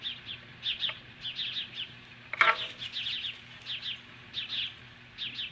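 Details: Osprey confronting magpies at its nest in Hellgate Canyon near Lolo, Montana, July 2015 morning: quieter run of thin, high piping chirps in small clusters, with a single sharp harsh burst midway.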